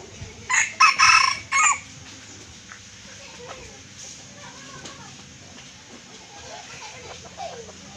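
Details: Red junglefowl from Aceh, Indonesia, calling as a trapping lure. The recording opens with a loud, rasping crow in four quick pulses over about a second. A quieter stretch follows with faint chirps of other birds.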